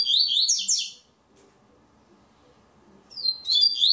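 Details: Online tournament entry from the third stage, a double-collared seedeater singing. A dense, high, chattering phrase lasts about a second, then a pause of two seconds before the next phrase begins.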